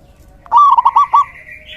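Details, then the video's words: Local male zebra dove in lively song used as a decoy to lure other doves, a single phrase of a long cooing note followed by four quick bubbling coos, faint low rumble behind. "Suara perkutut lokal jantan GACOR"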